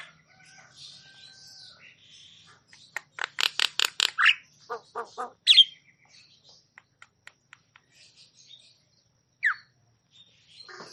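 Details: Javan myna song for encouraging quiet or stressed mynas: soft buzzing, then a dense burst of rapid harsh clicking notes, one sharp squeak, scattered faint ticks and a lone slurred call near the end.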